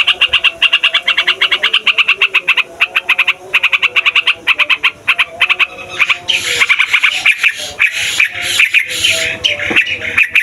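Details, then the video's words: Yellow-vented Bulbul (trucukan) lure song for trapping and tutoring birds: quick bursts of bright chattering notes for six seconds, then a harsh broadband rustling noise over scattered notes to the end. "TRUCUKAN RIBUT BUAT PIKAT, MASTERAN DAN PANCINGAN TRUCUKAN PAUD DAN OMBYOKAN"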